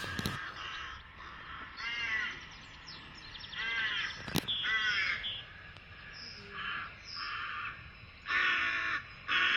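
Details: Rook calls played back to demonstrate corvid calls at the Domaine des Grottes de Han: harsh, hoarse caws in short bursts every couple of seconds, with a few softer croaks between them.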